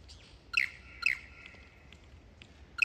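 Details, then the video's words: Lyrebird rehearsing song and dance before mating season: a soft swept note, then two loud sharp falling chirps half a second apart, a quiet stretch, and another chirp starting at the end. "Burungnya belajar bernyanyi dan menari sebelum musim kawin tiba, Lyrebird"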